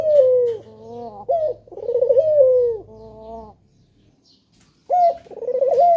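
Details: Cooing of a male spotted dove kept as a lure bird to draw other doves into calling. Two falling, throbbing coo phrases with short notes between them, a second of silence, then a new phrase begins.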